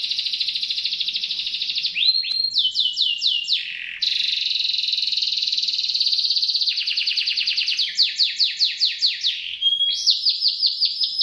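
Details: Canary song, kept as a tutor for competition magpie-robins: shrill trilled tours that switch speed and pitch, rapid rattling stretches alternating with series of slurred descending notes over eleven seconds.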